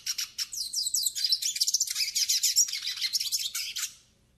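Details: Yellow-faced siskin singing a tutoring and warm-up song: an unbroken four-second stream of fast, high twittering, buzzy trills and slurred whistles that fades out at the end.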